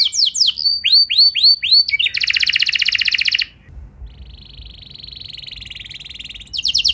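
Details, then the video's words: Canary singing a lure song to make other canaries answer: a few looping whistled notes, a fast buzzing trill, then a softer steady rolling trill before a final burst. "Pancingan Kenari Biar Gacor Ngeroll Panjang! Dijamin Kenari Lain Pasti Langsung Nyaut Emosi Ngeroll"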